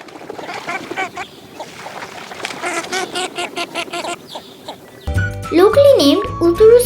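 Northern Shoveler giving a run of short, nasal, clucking notes for about five seconds, then music with tonal melody lines takes over.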